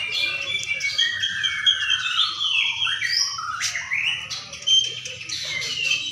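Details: White-rumped shama singing at a bird-singing contest in Sidareja: loud, varied whistled phrases with long falling and rising sweeps and sharp upward flicks, over a dense background chorus of other competing songbirds.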